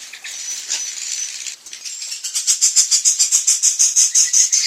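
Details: Edible-nest swiftlet call played to lure birds to roost at dusk: soft high twitter, then a rapid, evenly pulsed rattling trill of sharp clicks, about three to four per second.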